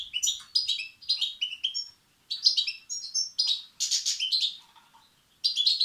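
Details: European goldfinch chicks begging, calls used to stimulate males: bursts of high, harmonic chirps and twittering notes in quick clusters, separated by short pauses.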